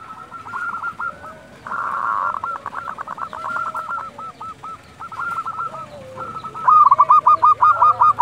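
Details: Local zebra doves calling at dusk, used as a lure and tutor for quiet birds; several overlapping rapid trilled coos around one kilohertz, stuttering bursts of short notes with a louder close bird near the end.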